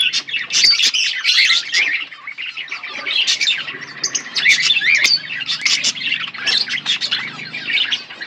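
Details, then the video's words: A pair of pet budgerigars chatter nonstop in bright, scratchy warbles and quick high chirps, overlapping in a busy, squeaky stream over a faint low hum. "Budgies chirping sounds"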